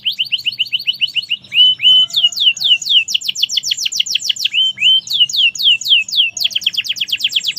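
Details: Merlok-style song from a vocal canary: a quick rolling trill, brief level whistles, then long runs of sharp high downsweeping notes in rapid succession, alternating with short steady tones.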